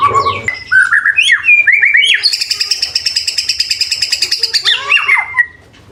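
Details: White-rumped shama (Murai Batu) training song full of isian fills and tembakan bursts: slurred whistles climbing and falling, then a long buzzy rattling trill held high for about two seconds, ending in downward sweeps.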